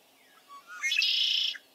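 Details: Male Red-winged Blackbird of the marshes sings one of its four to eight song versions: a few short, clear introductory notes, then a loud, buzzy, rasping trill held about half a second, the familiar conk-a-ree.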